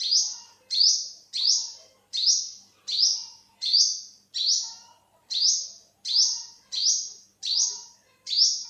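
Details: A long run of piercing, upward-sweeping chips from an olive-backed sunbird, also known as yellow-bellied sunbird, spaced about 0.7 seconds apart, with soft low undertones between notes.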